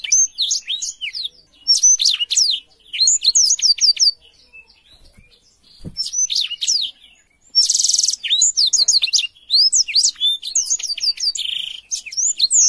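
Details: A Black-throated canary sings lively, clear song in phrases of quick sharp chirps and slurred whistles, with a long quiet gap around five seconds and a few buzzy notes later on. The recording tutors young canaries.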